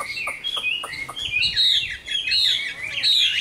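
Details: Vietnamese cage-kept Chinese hwamei, a mature forest-caught bird with a fine voice, gives a few dry clicks before breaking into a tumbling, rich warble of overlapping whistles.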